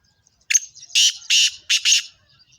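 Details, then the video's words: Kala teetar or black francolin in speeder style delivering a loud grating call: a short scratchy lead-in then four broad rasping bursts in quick succession, clean background "Real Speed Master Kala Teetar One Minute Ten Voices Speeder kala Teetar"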